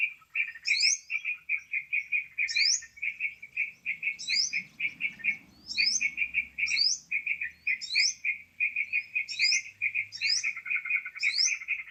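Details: Lure recording of a sooty-headed bulbul for bird trapping. A dense, unbroken chatter of sharp chirps runs throughout, with high upswept whistles returning roughly every second. A faint low rumble sits beneath.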